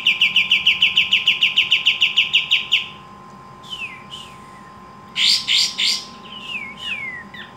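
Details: Vigorous pied triller (kapas tembak) song: a fast run of repeated bright chattering notes, then scattered descending slurred whistles and a few loud rasping bursts.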